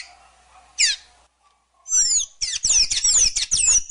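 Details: Sayaca tanager, Thraupis sayaca: a single sharp downslurred chip, a pause, then a busy run of high, squeaky, looping warbled notes for about two seconds.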